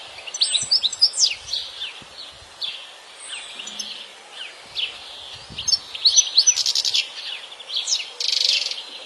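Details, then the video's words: Free-living European goldfinch in a natural setting: a varied, fast medley of tinkling notes, quick slurs and rasping buzzes that swells toward the end, with soft low thumps in the background. "تغريد اكثر من رائع لطائر الحسون في الطبيعة"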